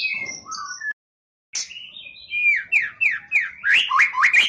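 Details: Champion white-rumped shama competition bird giving a 'tembakan' burst: a few fluted whistles, a short cut, then a string of loud rising and falling whistled notes repeated in quick succession.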